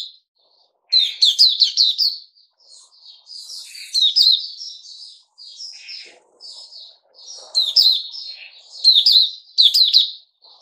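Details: Kept Puteh Raja bulbul sings a long, varied sequence: loud runs of rapid chirped notes alternating with softer twittering and slurred whistles, with a faint low thump midway.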